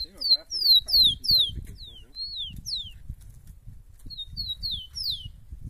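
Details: Rufous-collared sparrow (tico-tico) males keen to fight, with females: repeated loud slurred whistles sweeping downward, several in quick succession, a pause, then another short series of falling notes; soft low thumps and rustling underneath.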